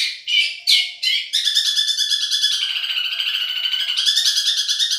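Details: Madura long-tailed shrike in a song-tutoring recording, described as a champion voice: three harsh opening bursts, then a long fast trilling, warbled run with steady rapid pulses and a slightly rising, tonal strand.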